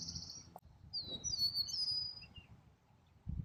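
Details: Meadowlark that landed close by during a spring birding outing at a local conservation area; one bright phrase of slurred, falling whistles with fainter higher notes, over low rumbling background noise.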